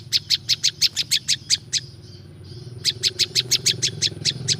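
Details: Natural song of the prinjak lumut, a prinia, for luring wild birds: fast high chirps, about three a second, a one-second lull with faint notes, then the rapid series again, over a low hum.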